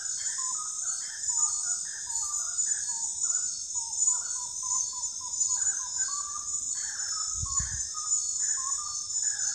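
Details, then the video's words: Common gallinule giving a long, rambling series of short nasal clucks that rise and fall in pitch. A persistent high insect drone and one low thump are also heard. "lindo canto da galinha da,agua ou frango da agua"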